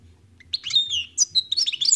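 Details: European goldfinch, called khalwi (wild), starting a song after a quiet moment: a burst of bright, high twitters and slurred whistled notes over a soft low hum.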